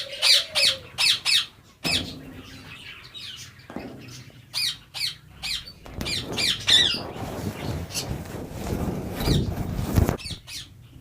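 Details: Rose-ringed parakeets at a ringneck breeding farm holding 400 pairs, giving loud harsh squawks in quick bursts, several overlapping, with background chatter and noise.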